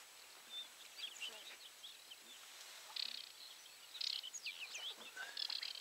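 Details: Aquatic warbler calling from mid-height in grass, giving high, dry chirps and short buzzy rattles, with louder bursts about once a second near the end over a soft outdoor hiss.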